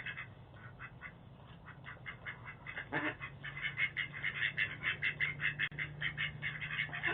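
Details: Fighting ducks complain by a Boise front door, picked up by a doorbell camera: a run of fast, evenly repeated nasal quacks, about 100 a minute, building louder toward the end over a constant low electrical hum.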